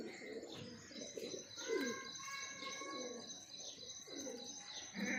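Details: Breeding pair of pigeons giving low descending coos in a series, while another bird sings a whistled stacked note and chirps carry on in the background.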